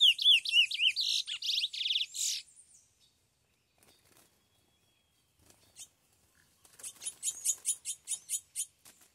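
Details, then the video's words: A Chestnut-bellied Seed-Finch ("curió bruto"), recorded 27 January 2021, opens with rich, fluty whistled phrases, pauses, then delivers a quick run of about ten high, bright repeated notes. "Curió bruto na pegada livre"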